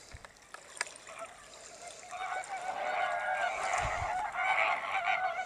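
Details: Greater flamingos calling as a flock: a dense, continuous chorus of nasal, goose-like honks that swells after the first two seconds and stays loud to the end, with scattered clicks at the start.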